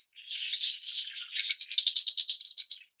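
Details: Two harsh, buzzy squawks from a yellow Fischer's lovebird, then a fast run of about a dozen evenly spaced, high ringing chirps.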